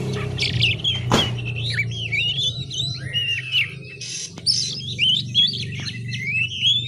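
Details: Young oriental magpie-robin learning to sing, twittering in the style called ngiriwik: a long, continuous run of wavering, warbled whistles and chirps, with a steady low hum underneath and a brief thump near the start.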